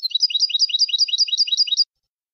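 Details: European goldfinch in copia malaga style, edited recording for teaching young birds to sing: a fast, even trill of about nine repeated chirping units, each dropping then rising, over nearly two seconds, loud and clean.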